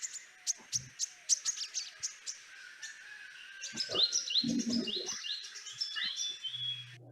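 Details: Loten's sunbird calling, faster than a similar species' call, gives a fast run of sharp, high chips, about three a second, then a jumble of thin twittering notes; low talking is heard briefly.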